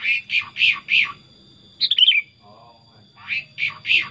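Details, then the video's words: Tame pet Sooty-headed bulbul, called very chatty: runs of four and three repeated chirping notes framing a quick falling warbled phrase, over a steady high electronic tone. "Kutilang Super Gacor Suara Alami Hutan"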